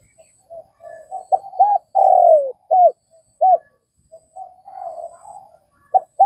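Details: Soft murmuring lead-in, then a spotted dove's phrase of short arched notes, a long falling coo and two clipped notes; Vietnamese bird, clean quiet background.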